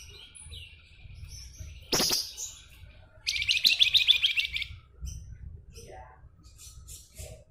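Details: Javan Fulvetta (flamboyan) in lively nyuling song: a sharp loud note, then a rapid high buzzy trill lasting over a second, followed by faint scattered chirps.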